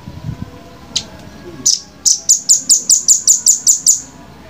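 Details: Velvet-fronted nuthatch in a clear training recording: two isolated high chips, then an even series of about ten piercing, high-pitched notes delivered rapidly, each with a slightly falling tail, over a quiet background.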